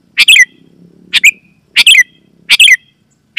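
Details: Sooty-headed bulbul call, loud and clear, meant to get other bulbuls calling; bubbly chirped phrases about every 0.7 seconds, four phrases over a faint low hum.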